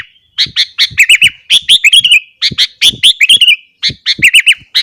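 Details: Sooty-headed bulbul singing energetically in the morning, meant to provoke other bulbuls: loud bursts of short bubbly notes with quick rising-falling warbled phrases, grouped in rapid clusters separated by brief pauses.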